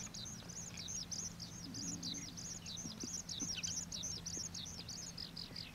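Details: Juvenile common waxbills, an introduced escaped cage bird, at the old railway bridge wetland in Pingtung, Taiwan: a busy stream of short, high, thin chirps and downslurred notes, closely repeated and overlapping, over a low steady hum.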